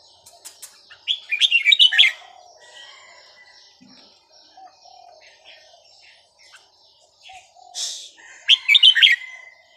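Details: Small caged Vietnamese red-whiskered bulbul, aged over ten years, sings two short bursts of rapid, bubbling notes about seven seconds apart, with faint soft chirps and rustling in between.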